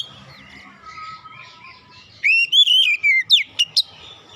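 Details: Lure song of an Oriental magpie-robin for getting reluctant birds singing: quiet, soft warbling leads into a loud, wavering whistled phrase, then several sharp upswept notes.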